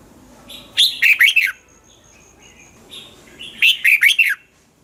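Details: Two short, emphatic red-whiskered bulbul phrases about three seconds apart, each a rapid cluster of loud whistled notes bending up and down, over faint background noise. A Thai recording intended to get caged birds excited.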